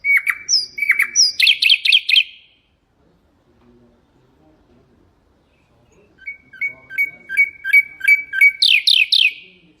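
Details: Common nightingale singing, used as a tutor for goldfinches and canaries: a dense burst of rapid, high notes, a pause with faint background murmur, then a series of repeated pure notes climbing into quick sweeps.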